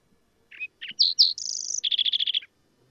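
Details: A Green-tailed Towhee sings a sweet, musical "drink your tea with sugar in it" phrase: a few short whistled notes, two bright slurred whistles, a high buzzy trill, then a fast lower trill.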